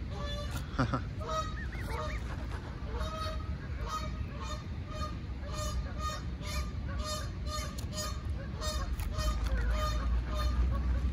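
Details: Canada goose attacking a lost gosling, giving rapid, harsh, nasal honks with rich overtones, repeated about four times a second in an irregular stream over a steady low rumble of background noise.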